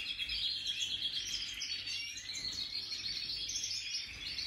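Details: Song of a European goldfinch, Major style, 2023: sustained, rapid, high-pitched twittering with ringing trills and chirps that barely pause, over soft low background noise.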